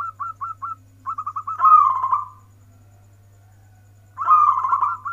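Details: Local zebra dove singing in the warung kebek (warkebek) style: short clipped notes in quick runs lead into a rolling, purring coo, with a second coo after a pause; constant low hum underneath.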